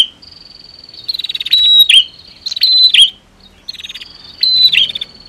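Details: Female set against male prinia to provoke song: high buzzy trills rising from a soft hum into three loud bursts of chirps and rattles over five seconds.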